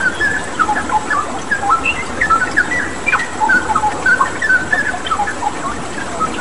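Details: Actively singing straw-headed bulbul (cucak rawa) as a tutor track: bubbly whistled phrases of short notes and upward flicks, pausing briefly between bursts, with steady running water throughout.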